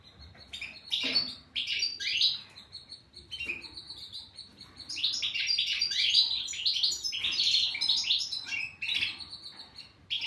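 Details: European goldfinch in sustained song, a long, fast chatter of high, tinkling and buzzy notes that builds into a continuous warble in the middle.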